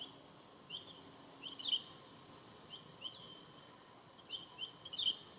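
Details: Oriental hobby in Dalat, Vietnam, on 6 October 2018, giving sharp, high chipping calls, singly and in quick pairs or triplets, about a second apart over a steady background hiss.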